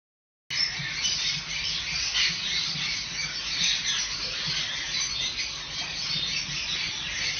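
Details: A hand-raised Monk parakeet (Quaker parrot, Myiopsitta monachus) from the Melbourne area gives harsh, raspy squawks in a steady, chattering stream.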